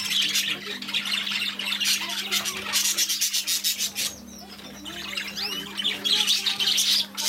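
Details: Newly arrived budgerigars in a shop warble and squawk in bursts, with a short quieter gap midway before the dense high chatter resumes over a steady hum.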